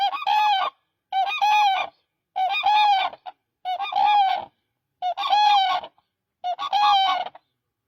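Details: Koonj, the Demoiselle crane, giving six evenly spaced, rich, rolling honking calls about every second and a quarter, each with a slight rising-falling wobble, against a quiet background.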